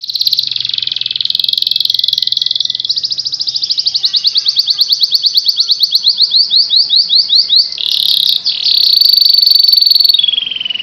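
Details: Canary in full, vigorous song: a loud, unbroken stream of rapid rolling trills, the pulses speeding and rising in pitch, then a buzzy run and a long descending whistle at the end.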